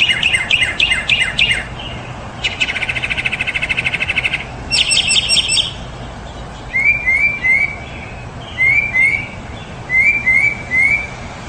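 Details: Mockingbird song shifting through varied phrases: rapid chattering trills, a dense buzzy rattle, then short sweeping whistled notes repeated three times in pairs, each motif repeated before changing.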